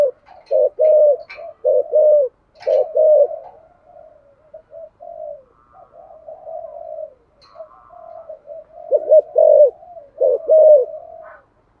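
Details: Spotted dove in 'giọng thổ' voice, cooing to stimulate other doves; several loud paired coos, then a softer stretch of murmured low cooing, with strong coos returning near the end.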